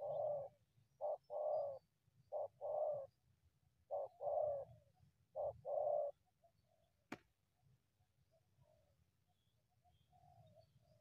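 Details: Wild spotted dove approaching a decoy bird from the brush: repeated cooing bursts of short and drawn-out notes for about six seconds, then a sharp click and quieter faint calls.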